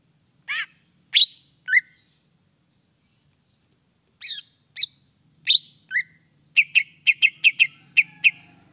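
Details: Greater green leafbird song played to rouse other leafbirds. Spaced harsh and slurred notes give way to a quick, evenly repeated run of sharp chips, with a faint low hum beneath.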